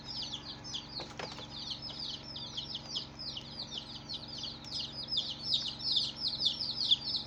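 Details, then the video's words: A group of colored baby chickens chirping: high, shrill downward peeps tumbling over one another, growing louder and denser toward the end, with a couple of sharp knocks early on and a low background hum. "Baby "Chicks Chirping" Sound"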